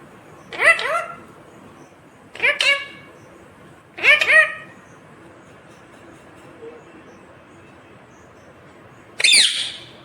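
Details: Talking green ringneck parrot giving four short, clipped, bright syllables spaced about two seconds apart, with the last one harsher and more hissing, against quiet background.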